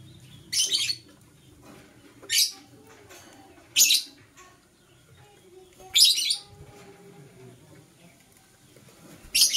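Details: Green and blue masked lovebirds in the morning giving loud, harsh, high chirps in short bursts, one about every one and a half to two seconds, with faint low background noise between calls.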